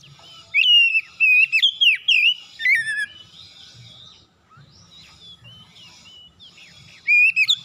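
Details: Morning kacer song from an oriental magpie-robin, intended to trigger nonstop singing in a quiet bird. A dense run of whistles, upslurs and sharp chips lasts about three seconds, then comes a quieter gap, and a fresh burst starts near the end.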